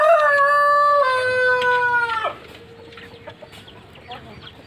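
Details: Pelung chicken rooster crowing: a loud, drawn-out harmonic crow that opens with a steady tone, steps down, and trails off into a long, slowly fading note over about four seconds. Faint background chirps follow.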